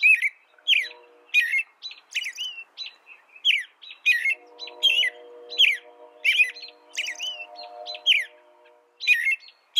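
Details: American robin song, a long, lively series of clear caroling whistled phrases, rising and falling, coming almost twice a second, with a steady low humming drone behind the middle section.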